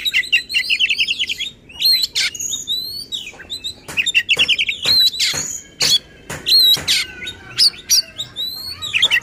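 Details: Agitated oriental magpie-robin song used to draw out other magpie-robins, with a fast trilled opening, then scattered sharp clicks, whistled upslurs and buzzy phrases.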